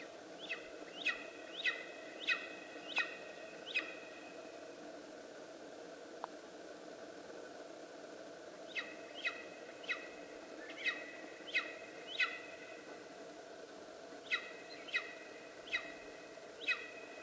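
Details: Verreaux's (black) eagle in Karoo National Park, South Africa, feeding on a freshly killed rock hyrax, calls its mate to join the meal with bouts of sharp, ringing yelps, five or six in quick succession.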